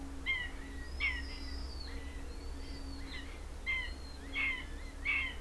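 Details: Common buzzard bringing a lizard to its chick: a series of short, high, harmonic squealing notes, repeated unevenly about once a second, over a low steady hum.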